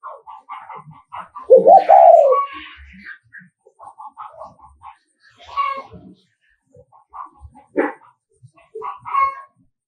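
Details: Spotted dove decoy from Nghệ An in the 'thúc gù' coo style, meant to stir rival males: a single loud, low, falling coo early on, amid busy chirping, clicks and higher twittering notes.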